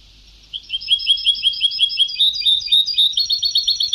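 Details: Vintage European goldfinch song in old Sebta style: a run of quick, bright repeated chirps about eight per second, continuing into varied twittering notes without pause.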